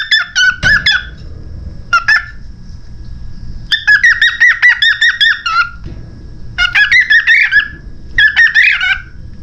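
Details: A pet cockatiel that has just started talking chatters in bursts of squeaky, warbling notes mixed with mimicked, speech-like phrases, its first words.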